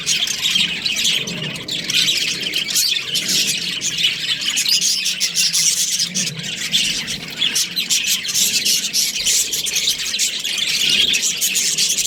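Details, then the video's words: Long run of constant, buzzy high chattering and chirping from a breeding pair of Australian budgies, with sharp clicks scattered through and a soft low rumble in the background. "Australian budgies breeding pair | Budgies chirping sounds"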